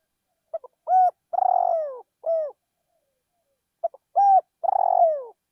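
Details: Decoy spotted dove cooing in a field: two matching phrases, each with quick soft notes, a level hoot, a long trembling downward coo and a final falling note.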